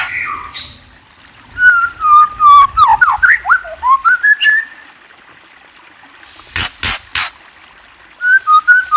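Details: White-rumped shama with a varied melodic phrase of fluted whistles and slurs, rising and falling, then a few sharp harsh notes and another burst of whistles near the end.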